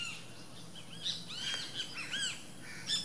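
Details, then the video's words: At a nest, a least grebe gives rapid, irregular high chirps and squeaks, short arched notes tumbling over one another at varied pitches, with a soft hiss beneath. "least grebe"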